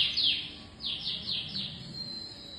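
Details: Brief canary song fragment: a loud buzzy note followed by a few softer repeated down-slurred chirps fading out.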